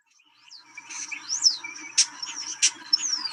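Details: European Starling song, said to have four sections ending in high-pitched, scream-like notes that carry a long distance: a rapid jumble of thin slurred whistles sliding up and down, broken by harsh buzzy clicks and rattles.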